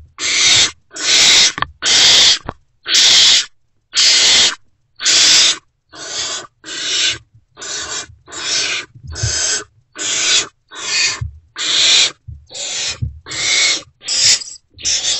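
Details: Great horned owl owlets in a nest box, still not fed, reacting to an adult's return before dawn; harsh, hissing screeches repeated about once a second, a long steady series of broad noisy bursts with faint low bumps and rustling between.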